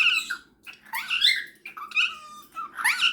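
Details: Pet cockatiel indoors in a small room, chattering back and forth with a superb parrot before bedtime: bursts of harmonic chirps, squeaky warbles and short rising whistles separated by brief pauses, ending with a person laughing.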